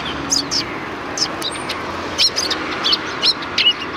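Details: Greeting sparrows at the back gate of a Tenmangu shrine in February 2020 utter sparse high chirps and a few thin notes, spaced irregularly against a low hum.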